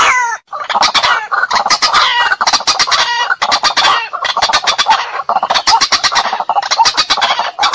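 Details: White-breasted waterhen calling to provoke a fight, a lure sound for bird trapping: dense, harsh, rasping croaks in rapid overlapping bursts that run continuously with only brief pauses, loud and grating throughout.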